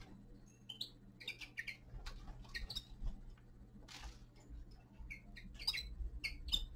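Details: Young male common linnet in winter gives short clear chirps spaced irregularly, some paired, amid clicking and pecking sounds and a low constant hum.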